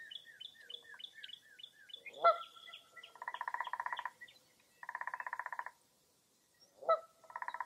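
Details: Mixed birdsong on a foggy early April morning at Mirror Lake State Park in Baraboo, Wisconsin. A rapid series of high repeated chirps leads into two long buzzy pulsed trills and a sharp harsh call.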